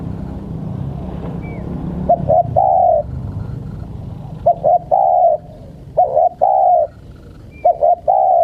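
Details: Spotted dove cooing to tease wild birds. It opens with a low rumbling background and a faint high chirp. Then come four phrases of two short coos and a longer one, closely spaced.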